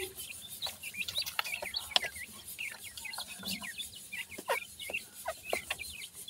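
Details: Francolin chicks held as pet birds in summer, many high chirps and short downslurred peeps tumbling over one another, with faint background hiss.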